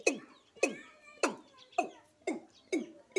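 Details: Watercock (kura or kora) recorded in Sylhet: deep, throaty downward-sliding notes delivered about twice a second in an uneven rhythm, with a little background noise.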